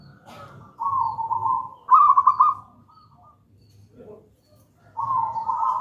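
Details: Local zebra dove singing the gedang rojo song, used as lure and master recording for untrained doves. Steady humming coos and a bright beaded trill, a short quiet gap with a faint low sound, then another coo begins.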